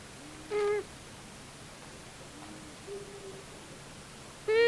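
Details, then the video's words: A long-eared owl pair visiting a common buzzard nest at Tiszavasvári, Hungary, on March 23, 2022: a short nasal call, softer low moaning notes, then another loud harmonic call beginning at the end. "Long eared owl Male and Female visit the nest"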